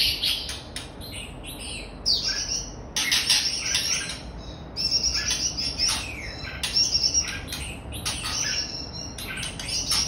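Red-whiskered bulbul giving bright, chattering bursts of high, twittering notes, coming in irregular clusters every second or two over a faint background hiss.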